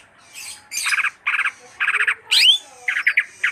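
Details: Greater green leafbird giving grating, buzzy chattered phrases in short bursts with a brief upward-swept squeal midway, the harsh notes returning at an uneven pace in a quiet setting.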